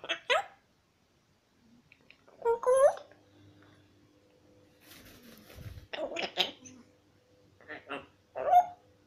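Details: A 12-month-old pet African grey parrot asking for a peanut gives five short bursts of harmonic, speech-like squawks and chatter, some rising, spaced a second or two apart in a quiet room.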